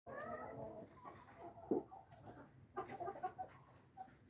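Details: Brahma roosters, domestic chickens: a loud harmonic, drawn-out call fills the first second, then softer scattered clucks and a brief sharp note near the middle, with a burst of mixed calls toward the end.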